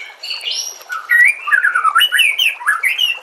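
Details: White-rumped shama tutor song: a long, steady high whistle at the start, then a quick warbling series of looping whistled notes that rise and fall.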